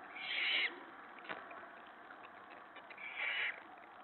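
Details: Owlets in a nest at feeding time on an evening of 21 March 2017, as the adult female brings a rabbit from the nest pantry. Two harsh, hissing screeches about half a second long, separated by a quiet gap with a single soft knock.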